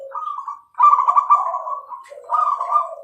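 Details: Bangkok perkutut zebra dove cooing clearly: a low opening note, then a long rolling trilled coo that softens and fades, followed by another warbling trill over a lower humming tone.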